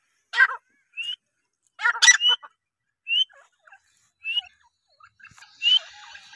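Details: Female grey francolin (teetar) calling: loud harsh broadband bursts alternating with short rising whistled notes, roughly one per second, then a few fainter rising notes against a quiet background.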